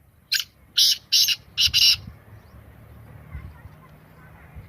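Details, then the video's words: Black francolin call, kala teetar ki boli: five loud, harsh, grating notes, the last two run together, over a low steady hum of background noise. "Beautiful voice of black francolin Kalay Teetar Ki Awaz Kalay Teetar Ki Boli Sindhi teetar ki awaz"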